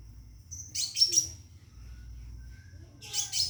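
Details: Scarlet minivet kept in a cage, calling to attract a female for mating, gives a short burst of high twittering chirps, then a long thin steady whistle, then another chirping burst.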